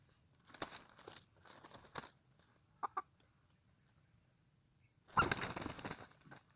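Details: Red junglefowl crowing: several short harsh bursts with broad noisy energy, then a louder, longer rasping crow near the end, over a steady background hum.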